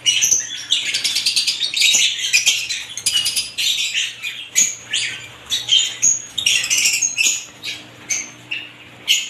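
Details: Several kinds of lovebirds chattering together, a dense flock of shrill, scratchy high chirps in overlapping bursts that swell and fade about every second, with no other sounds.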